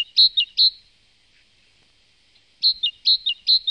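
Great tit song: a bright, high two-note phrase, the second note dropping, repeated in quick runs of two or three with a pause between bursts.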